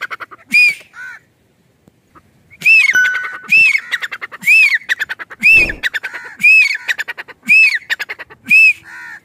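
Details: Grey francolin (teetar) calling in a natural setting in a village: after a quiet opening, loud harsh phrases repeat about once a second, each crowned by a ringing arched whistle and linked by rapid clicking notes.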